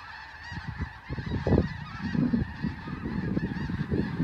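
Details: Large flocks of snow geese flying overhead above Delta, British Columbia, on 3 December, filmed on an iPhone: a continuous chorus of many overlapping honks and yelps, with steady background rumble.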